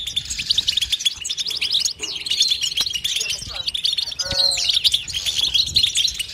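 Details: Continuous European goldfinch twittering: dense, high, ringing chatter with fast trills throughout, joined briefly by a lower, harsher, drawn-out note around the middle.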